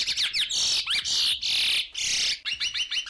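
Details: Serrada em R from a curió (chestnut-bellied seed finch), a raspy phrase drawn from the throat and hard to learn: broad grating buzzes broken by sharp upward-swept whistles, then a rapid stuttering trill.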